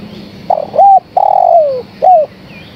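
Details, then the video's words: A female spotted dove calls for the male with a single phrase: a broken opening coo, a smooth rounded coo, a drawn-out coo falling in pitch, and a brief arched final coo. Low background hum. "Suara Tekukur Betina Gacor Memanggil Sang Jantan"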